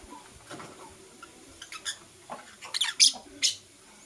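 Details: Lovebirds, blue opaline and parblue euwing opaline, chirping in the morning: scattered sharp high chirps, sparse at first and then louder in a quick cluster near the end, over a quiet room background.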